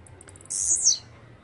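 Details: Single blue-black grassquit (chirrio, pirra, tiziu, volantina) song phrase: a few faint high ticks lead into a loud, very high, rasping buzz of about half a second that falls away at the finish.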